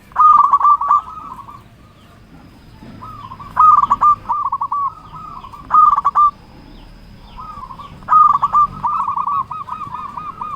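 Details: Local zebra dove singing to challenge rivals: short rolling phrases of rapid, slightly wavering coos, repeated about every two seconds, with a soft background murmur.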